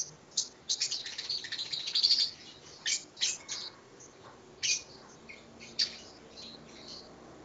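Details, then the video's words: Lovebird at ngekek training, the long trilling song reported to last 7 to 15 minutes. Harsh, high twittering notes cluster at first, then single shrill chirps come every second or so over a faint background hiss. "Suara Burung Lovebird Latihan ngekek"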